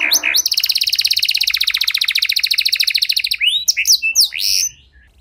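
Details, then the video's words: Singing canary meant to prompt silent canaries to sing again: a long rapid rolling trill held for about three seconds, followed by several sharp rising whistled notes. "Kenari Gacor Durasi Panjang Cengkok Istimewa! Efektif Buat Memancing Kenari Macet Biar Gacor Kembali"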